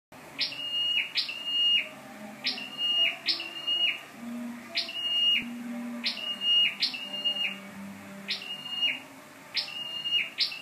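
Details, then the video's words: Scarlet-backed flowerpecker used as a decoy bird, dated 12/10/14, gives thin, high, sharp notes that dip then level off, repeated in quick runs about every second, over a faint low hum. "Chim sâu đầu đỏ mồi"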